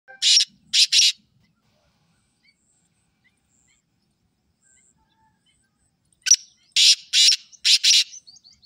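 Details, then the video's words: Black francolin calling twice: two harsh, rasping notes, then after a long silence a fuller phrase of a short clipped note followed by grating, buzzy notes in pairs, loud and dry against a quiet background. "Kale teetar ki aisi Awaaz ke Jungali teetar be bol pura"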